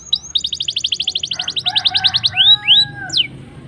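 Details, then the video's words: Black-throated canary, sung in rolling gacor style to set other canaries singing: a quick even rattle of high notes for two seconds, then loud upswept and downslurred whistles. "BLACKEN GACOR NGEROL NEMBAK MANTAP.. Ampuh Pancing Kenari Cepat Bunyi"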